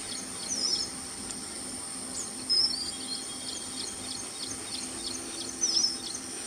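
Red avadavat giving thin, high chirps, three brief notes a couple of seconds apart, over a steady high hiss and a low hum.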